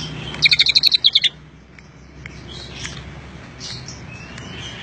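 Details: Greater green leafbird giving isian Cililin song: a single fast sequence of about eight sharp, high, repeated notes lasting under a second, followed by quiet with faint distant chirps.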